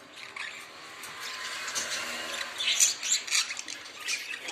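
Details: Several budgerigars twitter in a steady, busy stream of short high chirps and clicks, growing louder toward the end.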